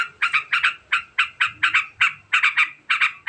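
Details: Quick ngekek chatter from a sooty-headed bulbul, a long rapid phrase meant to elicit replies: harsh double-struck notes repeated about every quarter second, loud and close.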